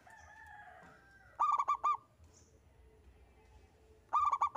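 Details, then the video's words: Solo local zebra dove in vigorous song, meant to lure others into singing; faint drawn-out tones open, then a crisp burst of five rapid coos and another phrase starting near the end. "Kutut Lokal Gacor‼️ENGKEL Untuk Pancingan Bunyi"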